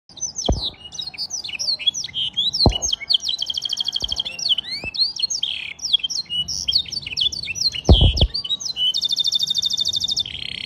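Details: Canary singing a blackstrut-style song: rapid varied chirps and sweeps between high notes, broken by fast buzzy trills, with a few brief low knocks in the background.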